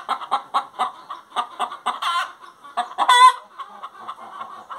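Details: Hen singing: a run of short clucks around one to two seconds apart, broken by a few louder, drawn-out harmonic squawks near the middle.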